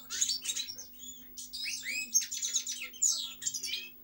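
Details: European goldfinch song, loud and close: quick tinkling chirps, rising and falling slurred whistles and buzzy twitters packed into a lively, continuous phrase, with a faint steady hum below.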